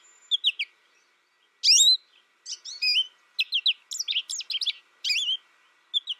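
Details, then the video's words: ['Young American goldfinch reared in isolation, learning from a tutor recording, delivers a jumbled series of high chirps and wavering whistled notes, with one loud sweeping note early on, against a quiet background.'] "My American Goldfinch sings a tutor calling birds, goldfinch excitation to sing,goldfinch chirping"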